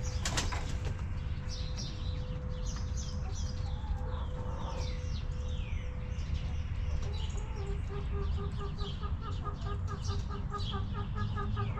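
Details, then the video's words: Hens relaxing in a backyard coop. Scattered clucks early, then a run of evenly spaced short clucks near the end, set against busy chirping and twittering from wild songbirds and a constant low drone. "Rooster Crowing! Hens Clucking!"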